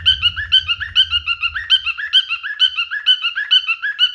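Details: Singing male cockatiel courting a female with a brisk, regular sequence of harmonic whistled notes about two per second; low rumbling noise in the first half fades out.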